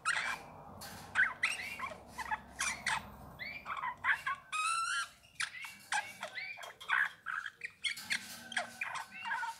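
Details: Eurasian bullfinch singing: a busy run of short whistled and creaky notes, many sliding or hooked, packed closely with brief clicks and soft low rumble underneath.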